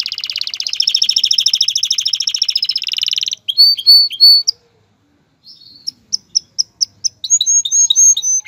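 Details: Canary male singing to prepare a female for mating and nest building, starting with a long rolling buzzy trill, then clear whistled notes spaced apart, a pause, and a run of short sharp chips rising into another trill.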